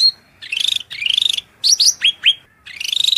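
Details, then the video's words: Shrill cucak rante song used to train cage birds: buzzy, rattling trilled phrases alternating with a few sharp, high, downward-sweeping whistled notes and short pauses. "MASTERAN SUARA MELENGKING CUCAK RANTE GACOR"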